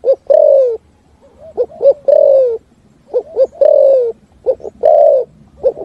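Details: Spotted dove singing the 'thúc gù' cooing song in a forest setting: deep, hollow coos, short clipped notes leading into a long falling coo, three groups in quick succession with faint soft notes between.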